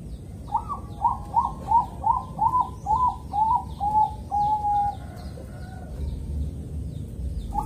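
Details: Bangkok zebra dove in Kediri, East Java, calm morning rhythm sung to draw other zebra doves into singing: nine or so quick, even, lilting coos followed by a single long, steady closing note; another phrase begins as it fades.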